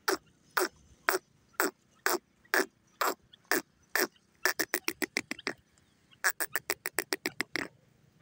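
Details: A grey francolin gives loud repeated harsh notes, starting slow and evenly spaced, then breaking into rapid accelerating runs of clipped calls, twice over, in quiet surroundings.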